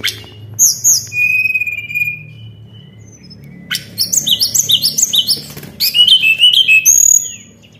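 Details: White-browed shortwing song played as a lure: clear, high whistled notes, a long level whistle, a short pause, then a fast run of varied chirps and wavering whistles with slides up and down.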